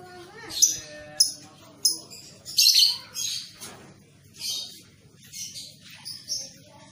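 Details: Young lovebird on a training recording meant to get young birds singing, with sharp high chirps at irregular intervals over a low background hum, plus fainter rising notes between them.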